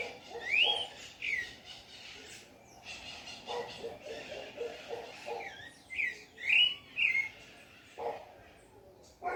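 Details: Thrush (sabiá) singing on a farm: clear whistled phrases that slur up and down, given in short separated bursts, with a few brighter rising notes near the end, over softer low background sounds.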